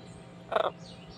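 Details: A pet macaw, which likes to rise early, gives a single loud, harsh squawk lasting about a fifth of a second, against a quiet indoor background, around feeding time.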